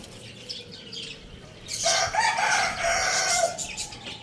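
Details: Lohmann Brown rooster at Lalukhet bird market crowing loudly: a drawn-out harmonic crow of about two seconds, partly masked by dense, high twittering from many small caged birds throughout.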